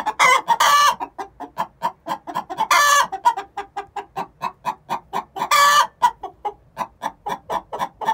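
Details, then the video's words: Egg song before laying, from a pair of six-month-old hens: dense repeated clucking, about four per second, punctuated by three loud harsh squawks. "Chicken song before they lay"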